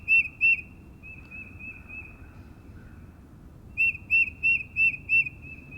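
Tufted Titmouse song: clear, high whistled 'peter' notes in quick, even runs, first a pair and then four in a row, over a faint low rumble.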